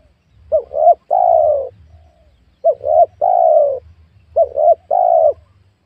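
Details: Repeated spotted dove phrases from a young oil palm plantation during luring of wild doves: three phrases about two seconds apart, each two short coos then one long mellow descending coo.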